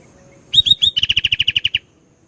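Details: Sooty-headed bulbul song: a trio of rising whistled notes, then a lively series of roughly twelve short, bright repeated notes, with no other sounds.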